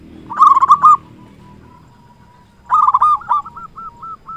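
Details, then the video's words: Local zebra dove in full voice, used as a lure to stimulate other doves to sing. Two bursts of rolling, warbled coos are each followed by a string of short, evenly spaced clear notes. "Perkutut lokal gacor suara cocok untuk pancingan semua jenis perkutut yang malas bunyi"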